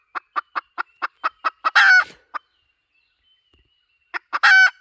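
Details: Hen calling as a lure for chickens: evenly spaced staccato clucks build into a long, loud, rasping cackle, then a pause and a short burst of clucks ending in another drawn-out harsh cry.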